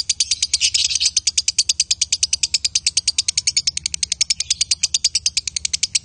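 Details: A male and female lovebird pair producing a steady, fast series of shrill, high pulsed notes, roughly seven per second, loudest and busiest at the start, continuing without pause.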